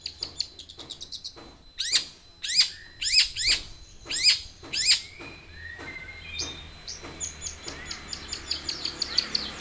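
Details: Long-tailed shrike lure song to prompt a captive bird to sing: dry clicking ticks, then loud downward-swept harsh notes about twice a second, ending in fast mixed chatter and thin whistles.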